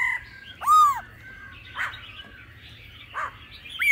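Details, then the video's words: Laughingthrush with a mature wild-forest voice and a female's calls, played to excite males: one loud arching whistled note, followed by soft harsh chatters and a rising whistle cut off at the end. "Khứu hót giọng già rừng kèm tiếng mái siêu kích bổi.kích bổi hót căng mỗi ngày"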